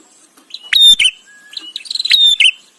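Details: Bar-winged prinia recorded as a training song for white-rumped shama: a short, loud whistled note and a buzz, then a brief chattering run ending in another buzzy note, with faint soft chirps before.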